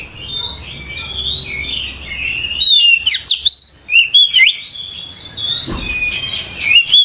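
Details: Oriental magpie-robin singing, a rich mix of warbled whistles, sharp downward sweeps and fluty notes in irregular bursts over a hissy background, louder in the second half.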